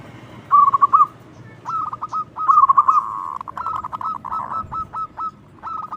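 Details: Loud local zebra dove kept for luring other doves: a rolling trilled phrase, then groups of clipped cooing notes, another trill, and a steady string of repeated notes.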